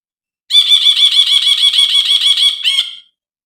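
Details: Brinji bulbul: a rapid, harsh, buzzy chatter of evenly repeated nasal notes, about three per second, running for over two seconds, then a short final burst. No other sounds.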